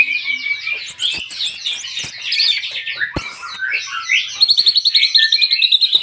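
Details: White-rumped shama song: a dense, high, rapid stream of varied chirps, trills and sharp whistles with clicks, ending in a quick repeated run of bright notes.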